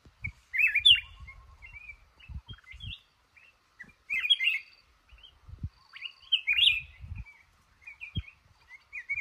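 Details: Trapped male red-whiskered bulbul from a cashew orchard gives loud, clear, warbled phrases spaced a second or two apart, rising and falling, over scattered low knocks and rustles.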